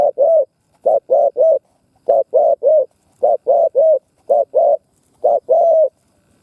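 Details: Spotted dove decoy cooing to lure wild doves: steady series of short low hoots grouped in twos and threes, repeated about every second in a quiet setting.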